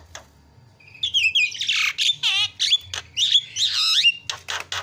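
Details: Javan myna calls played as a lure to make other birds call: a dense stream of harsh squawks, rapid rattling notes and falling whistled slurs.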